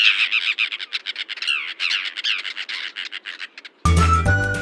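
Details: Common terns at Kirinda Beach near Yala, Sri Lanka, a coastal wintering area, giving rapid, harsh, grating calls in a quick irregular series, several birds overlapping, before music cuts in near the end.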